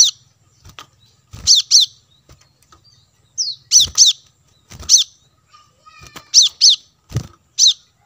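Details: Sharp, high chips of a plain-throated sunbird, locally kolibri manggar, on lure audio for wild birds. The notes come in pairs and threes with short gaps, alongside occasional soft rustles and thumps.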